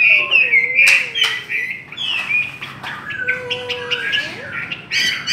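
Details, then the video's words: Chinese hwamei in a singing contest, pouring out a rich run of loud, varied whistled phrases with rising and falling slurs, mixed with sharp clicks and a steady low whistled tone in the background. "Chim họa mi hót đấu"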